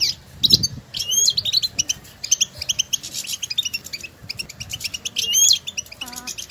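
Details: European goldfinches in nature giving excited stimulating calls, rapid bright twittering and fluty slurred whistles in busy runs, ending with a short wavering tonal sound lower down.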